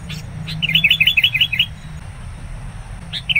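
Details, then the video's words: Sooty-headed bulbul calling aggressively toward a rival while wild bulbuls are trapped nearby; a quick run of about nine bright, bubbly notes, then quiet and one short phrase near the end. "PIKAT KUTILANG NGAMUK NGOTOT SAAT DIDATANGI LAWAN"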